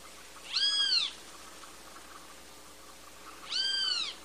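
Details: Two separate drawn-out, nasal, arched notes roughly three seconds apart from a great kiskadee, the bird called bem-te-vi in Brazil, over a steady faint hiss.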